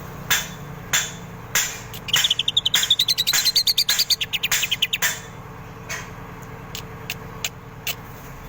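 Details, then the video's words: Greater green leafbird from Indonesia singing in full voice, its song filled with kingfisher imitation: a fast rattling run of sharp notes rising in pitch over about three seconds, framed by loud percussive clicks and knocks with a low background hum. "cucak ijo gacor isian burung tengkek"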